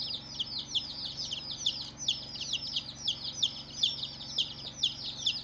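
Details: Newly hatched chicks on their first day calling as a group. Shrill downward-sweeping peeps pile on top of one another in an unbroken stream, several each second, over a faint constant background hum.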